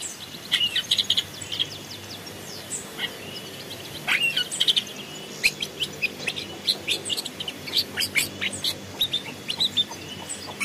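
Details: Long-tailed shrike in forest, recorded as a decoy/training song, giving a rapid, chattering song of short, scratchy and whistled notes, high-pitched and uneven in pace, with faint background hiss.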